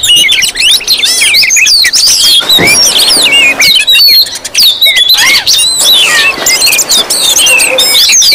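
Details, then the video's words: Oriental magpie-robins in a noisy, busy chorus used as a lure to provoke other magpie-robins into calling. Dense overlapping high whistles, sliding and chattering phrases pour out almost without pause. "Suara Kacer ribut Rame Banget sangat cocok buat pancingan"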